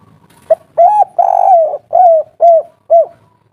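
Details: Spotted dove, kuk 3 call type, calling in an agitated way to lure other doves: a clipped note, a long rough coo falling slightly, and four arched hooting coos, with faint low background hum.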